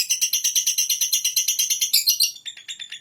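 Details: Lovebird in long ngekek chatter: a fast, high, shrill run of pulsed notes, about eight a second, that shifts tone briefly near the end.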